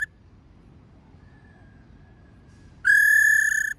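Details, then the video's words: After a long near-silent stretch, a female laughingthrush gives a single strong, steady whistled note of about a second, a 'rò' call meant to excite wild-caught males. "Khướu mái rò | khướu mái ro ro kích khướu bổi cực nhạy. tiếng khuou mai ro"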